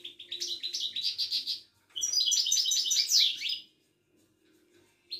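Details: Caged Moroccan Widani goldfinch at a Casablanca market sings a quick rhythmic series of twittering notes. After a brief pause comes a louder, tumbling jangly trill, then near silence.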